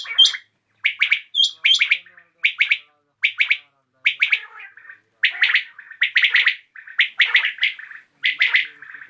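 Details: Common quail in the evening, giving steady runs of clipped three-part phrases, nearly one per second, with a couple of high whistled notes early on.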